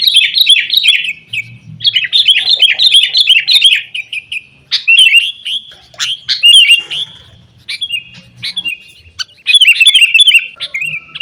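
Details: Lure recording of sooty-headed bulbul for caged birds: bursts of fast, bubbly chirping separated by short gaps, with sparse single notes between phrases and faint low rumbling.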